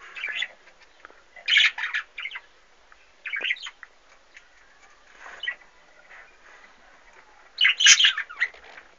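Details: Aviary budgerigars with chicks, 2013: clusters of high, squeaky chirps and grating warbled notes come in bursts every second or two, a few quieter calls in the gaps.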